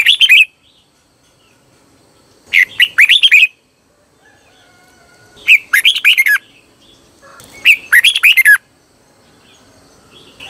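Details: Decoy red-whiskered bulbul song used to lure wild birds, with short lively phrases of warbled, slurred whistles coming in bursts roughly every two to three seconds, separated by quiet gaps.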